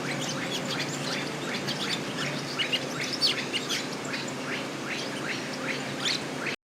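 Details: Village weaver at its nest-building site, giving continuous harsh, rapid chattering and squeaky notes in quick overlapping bursts, with a steady low background rumble. The sound cuts off abruptly near the end.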